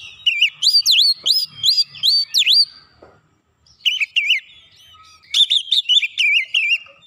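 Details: Oriental magpie-robin song used as a lure to provoke rival birds: loud, fast series of whistled, swooping and V-shaped notes repeated rapidly, with a brief pause and then a second burst of sliding, warbled notes.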